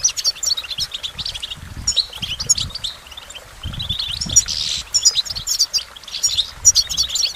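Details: Goldfinch song: rapid, high twittering trills and tinkling notes in fast bursts, with brief pauses between phrases; faint low rumbling in the background.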